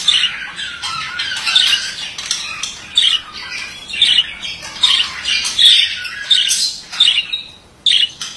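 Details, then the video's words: Continuous chattering warble from a male budgerigar: rapid scratchy notes, soft gurgles and sharper squawks strung together with little pause, louder bursts near the end. "Erkek muhabbet kuşu sesi"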